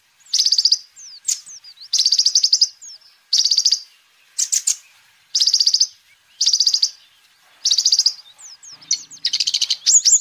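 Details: Lively sunbird song used to attract and tutor birds: short dense trill bursts, each about half a second, repeated every second or so, with thin twisting whistles slipped between them.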